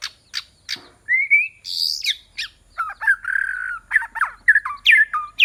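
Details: White-rumped shama used as a decoy to lure rival fighting birds, singing a rich, varied phrase of sweeping whistles, rising and falling slurs, and sharp chips, with bursts of notes every half second and a steady buzzy note midway.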